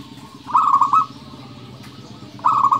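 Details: Singing local zebra dove in 'nembak' style, used to provoke quiet doves: two quick, rippling coo phrases of several rolled notes each, about two seconds apart, with low rumbling background noise.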